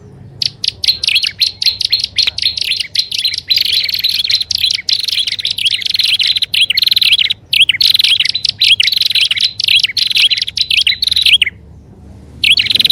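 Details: Lure recording of prinias, combining prenjak alang-alang and upper and lower prenjak: loud, fast runs of high chattering notes repeated almost without break, with a short quiet gap near the end before the chattering resumes.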